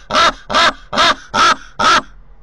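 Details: Common raven on a visit to the nest in Corbera de Llobregat, Barcelona, recorded by a nest camera. It gives five rough, croaking calls at a steady pace of about two per second.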